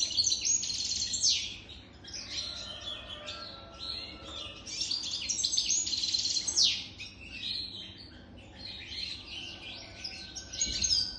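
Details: European goldfinch, a jadr (mature bird) over three years old, singing a long, dense twittering song of rapid high tinkling notes and buzzy slurs, with bursts of louder trills throughout.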